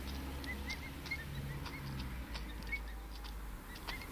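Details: Soft, high, arched whistles from pet emu chicks five weeks old, roughly a dozen scattered throughout, partly masked by a continuous low droning rumble and faint clicks.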